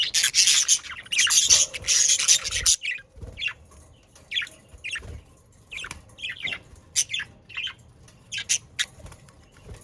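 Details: Budgerigars calling together, recorded in the Den Haag region of South Holland, Netherlands: a dense burst of loud hissy chatter opens, then thinner warbling chirps and short squeaks follow in an uneven stream.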